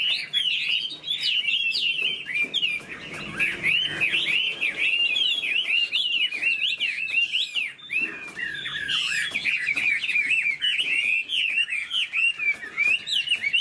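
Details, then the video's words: Chinese hwamei in a cage delivers a long, nonstop torrent of loud whistled phrases, fast wavering slurs and piercing notes, full and varied throughout. "Họa mi đuôi xòe chơi cánh, bóng bộ cực đẹp, hót vẩy đuôi khướu"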